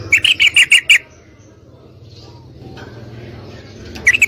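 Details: Female yellow-vented bulbul calling to a male for mating: a burst of about six harsh chattering notes, a pause with a low hum, then the series starting again at the end.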